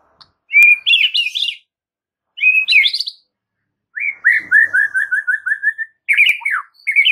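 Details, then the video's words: White-rumped shama master song for provoking a response: bursts of loud, twisting, high warbles, then a long string of repeated downward-slurred whistles, ending in more fast, varied phrases with sharp clicks. "7 DETIK AUTO RESPON MURAI BATU ANDA DENGAR MASTERAN MURAI BATU SATU INI"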